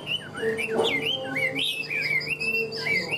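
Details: Short burst of Hwamei song from a caged bird: looping, wavering whistles that slide up and down, over a low steady hum.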